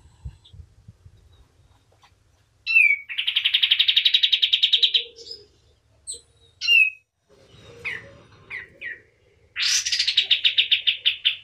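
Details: White-eye known as kapas tembak singing actively for tutoring: a long fast trill of bright repeated notes, scattered sharp single chirps and downslurred calls, then a high rising note leading into another quick chattering run.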